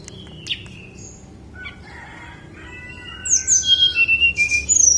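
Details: Snowy-browed flycatcher song of rapid, high, squeaky notes in a pulsing series near the end, after softer whistled calls from other birds in the background.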